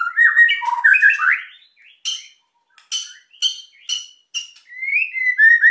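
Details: White-rumped shama singing energetically to provoke quiet birds to sing: loud rich whistled slurs at the start, then a series of harsh, clipped chack notes about every half second, ending in clear sliding whistles.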